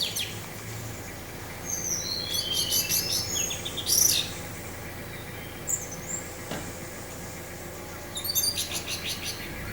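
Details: Orange-headed thrush in teler-style song with wind sound behind it: scattered high chirping phrases, one sharp loud burst near the middle and a fast stuttering series at the end, separated by quiet stretches of steady background noise.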